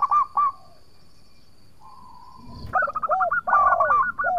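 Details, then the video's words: Local zebra dove in full song, intended to lure rivals into replying: two short coos, a soft drawn-out note, then a fast run of hooked, bubbling cooing notes. "Perkutut Lokal Gacor Suara Merduk Cocok Buat Pancingan - Bikin lawan langsung Nyaut!!!"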